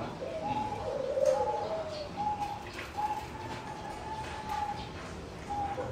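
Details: A competition-bred singing zebra dove sings soft, high, purring coos in short bursts, repeated roughly every second, over a faint background hum.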